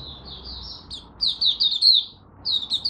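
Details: A Malaysian Oriental white-eye, in a minor moult and off form, sings a fast, high twittering warble of thin slurred notes in quick bursts with brief pauses, recorded 27 July 2023.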